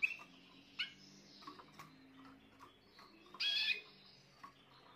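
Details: Spanish Timbrado canary, young bird of this year, 14 June 2023: short chirps, then a loud sustained bright rolling phrase lasting about half a second, with a faint low hum underneath.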